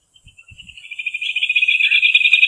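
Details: Rufous hornero song: a rapid, high trill that starts softly and swells steadily louder over two seconds, its fast even pulses running together into a bright rattle.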